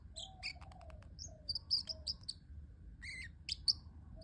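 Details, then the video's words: Pet parrotlet chattering with high, thin tweets and squeaky chirps, mixed with a few softer lower whistled notes and clicks, delivered in irregular bursts over a faint low hum. "the parrotlet making cute sounds"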